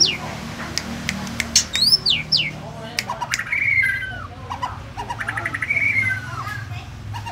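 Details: Captive-bred, tame white-rumped shama from Banyumas, Central Java, kept through two moults, singing. Loud clear whistles sweep sharply up and down, with sharp clicks and slurred falling notes, mixed with sharp tapping and faint background noise.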